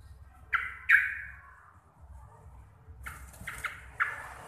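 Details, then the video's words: Vocal local sooty-headed bulbul from Java, loud and clear-voiced: two harsh falling bursts, a quiet gap, then a tight cluster of rapid chattering notes with a steady low hum beneath. "TRUCUKAN GACOR RECEH DURASI PANJANG"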